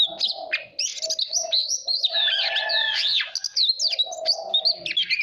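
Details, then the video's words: Caged white-rumped shama singing for voice training and to spur competitive singing: a rich stream of varied whistled phrases, slurred and rising, with sharp high notes. Lower warbling notes run beneath in steady stretches. "Chòe than hót hay /luyện giọng /ép giọng chuẩn /kích chim hót đấu hiểu quả"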